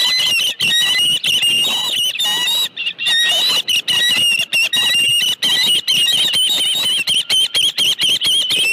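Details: Osprey at a ranch nest with a live fish, giving loud, high, whistled chirps that run in rapid, nearly continuous strings with brief gaps, some notes rising, others falling.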